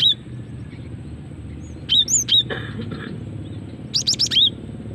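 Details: Female cinereous tit calling, used as a lure and to trigger singing: brief clear whistled chirps near the start, then short clusters of high sharp notes and a rising-falling whistle, separated by quiet gaps over a low steady hum.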